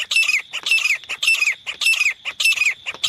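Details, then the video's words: Grey francolin in loud, hoarse repeated calling, each rasping phrase ending in a falling squeal, roughly two phrases per second without pause, used as a lure sound for catching francolins. "शिकारी तीतर साउंड। Best teetar voice."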